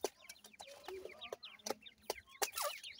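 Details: Dhakni and Irani teetar (grey francolin) chicks at play and fighting, giving rapid overlapping high twittering chirps, many quick downward-slurred notes, with loud clicking knocks and a scuffling burst near the end.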